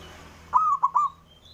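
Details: Male zebra dove, a local perkutut, calling to provoke rivals into answering: one mellow phrase of four soft cooing notes, a long opening note then three short clipped ones, over a low background hum.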